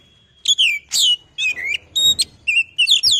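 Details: Kacer (oriental magpie-robin) singing loudly to goad other birds: a lively chain of short, sweet, slurred whistles, each phrase gliding down, delivered about three per second.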